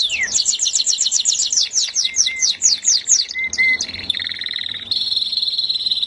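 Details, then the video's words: Melodious canary song opening with rapid descending whistled notes, brief lower whistles, then steady high buzzy trills. "suara burung kenari merdu"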